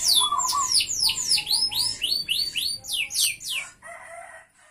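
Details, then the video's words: F1 canary singing actively, used as a lure and tutor song for other canaries: a rapid run of sharp, high, downslurred whistled notes at roughly four per second, shifting into quicker trills, then a few lower buzzy notes before fading. "Pancingan Suara Kenari F1 Gacor"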